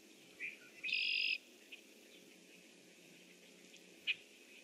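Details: A red-winged blackbird calls out from its nest tree on 25 June 2014 around 7 a.m.: a short note, then a half-second harsh, buzzy trill, and later a single sharp chip over steady background hiss.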